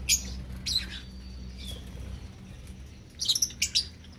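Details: A young lovebird flock gives scattered sharp, high chirps, with a thin whistled note in the middle and a rapid burst of squeaky calls near the end. A low steady hum sounds throughout.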